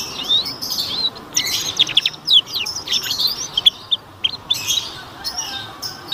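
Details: Canary song used as a training lure so young canaries start singing and quickly find their full voice: dense, high twittering of rapid chirps and downslurred notes, with short bursts separated by brief pauses.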